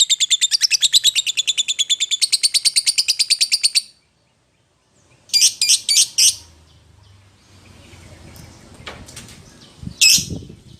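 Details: Lovebird calling a companion or rival: a fast chattering run of high notes for about four seconds, a pause, then a short burst of quick squawks, faint low rumbling and one more sharp squawk.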